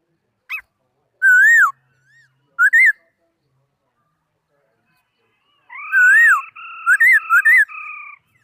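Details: Laughingthrush singing, 2018 recording: scattered loud looping whistles with gaps between, then a run of rich wavering whistles over a sustained steady tone.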